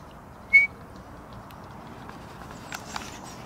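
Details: A woodpecker in a tree, listening and then answering another woodpecker, gives a single sharp, high, clipped note, followed by faint ticks as it examines the tree, with quiet outdoor background.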